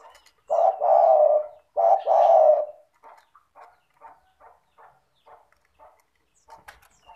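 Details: A spotted dove in lively 'gacor' form, a lure to make silent doves call, gives two deep coo phrases, a short note then a drawn-out one. Soft, quick, evenly spaced ticking notes follow.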